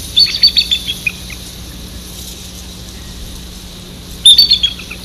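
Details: Bald eagle calling its mate along the Maurice River: two bursts of high, thin, squeaky chittering notes, one at the start and another after a long pause, over a steady low electrical hum.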